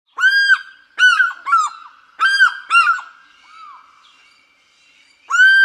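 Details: African fish eagle giving loud, ringing yelps with rich overtones, in two bursts of short, sharply bent notes about a second apart, then a pause with a faint lower note, and a fresh yelp at the end; no other sounds.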